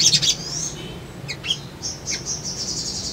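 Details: Brown-throated sunbird lure song: a quick high chatter sliding into a thin descending whistle, a few sharp chips, then a sustained high thin trill, over a low constant hum.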